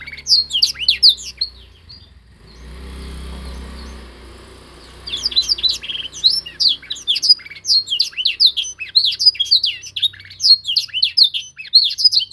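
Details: Young canary in singing training, learning to copy a master song: rapid varied high chirps and down-slurred whistles, a quiet break with low rumble around two to five seconds, then dense twittering resumes.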